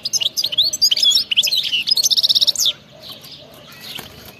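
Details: Khalawi-style European goldfinch song in btebta form: fast twittering notes build into a tight repeated buzzy trill, stopping sharply under three seconds, then near quiet with faint ticks.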